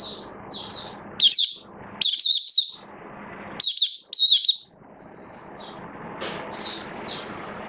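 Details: High, bright twittering from a kept oriental white-eye building up form, 19 September 2022: short spaced clusters of quick slurred chirps, louder in the middle, thinning to soft scattered notes, over a steady low background hum.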